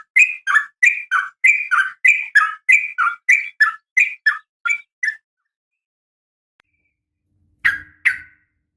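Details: Calling female sooty-headed bulbul seeking a male: a quick string of crisp two-toned chirps for five seconds, then silence, then two final sharp notes.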